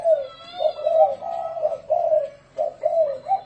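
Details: Spotted dove cooing in the thổ rền style, used as a decoy call for wild doves. Deep, rolling coo phrases run together with short breaks, and a faint higher tone hums briefly in the background.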